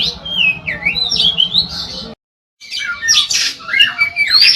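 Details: Oriental magpie-robin singing in a chatty, long-phrased style meant to stir other magpie-robins to sing: looping whistled slurs, a short silent break, then harsher scratchy notes mixed with high whistles.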